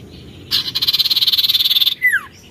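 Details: {'text': 'Oriental magpie-robin singing actively: a harsh rapid buzzing rattle lasting over a second, followed by a quick sharply falling whistle.'}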